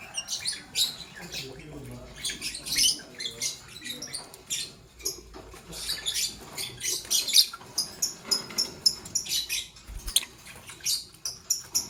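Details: Morning chirping from lovebirds, a green Fischer's and a pastel blue: a steady stream of high, shrill, rasping chirps in rapid bursts, nearly continuous with short gaps, over a quiet low hum.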